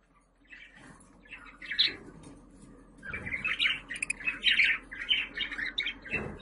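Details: Budgerigars calling, played to attract pet budgies; soft scattered chirps swell into continuous bubbly chatter over a low background hum.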